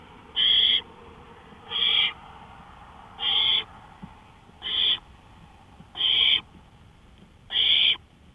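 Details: Owl on a porch at night, May 5, 2013, 1:53 AM: six evenly spaced breathy screeching hisses, roughly one every 1.4 seconds, over a faint steady background hum.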